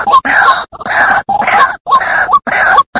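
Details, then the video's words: White-breasted waterhen lure call: harsh, nasal croaking notes repeated about twice a second in a steady, grating run, with nothing else heard. "Suara pikat ruak ruak"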